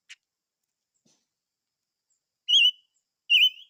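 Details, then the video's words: Silver-eared mesia giving two strong, clear whistled notes with a slight wavering inflection, spaced under a second apart after a faint click and near silence. "Chim Ngũ Sắc Hót - tiếng chim ngũ sắc hót"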